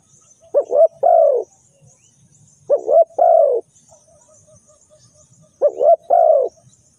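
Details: Spotted dove cooing, used to lure birds into traps: the same phrase three times, about every two and a half seconds, two quick short coos then a longer, fuller falling coo, all low and soft.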